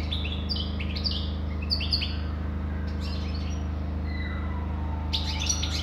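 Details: Tinkling twittered phrases from a European goldfinch, then a thin descending whistle and a fresh burst of chattering notes near the end. A steady mechanical hum runs throughout.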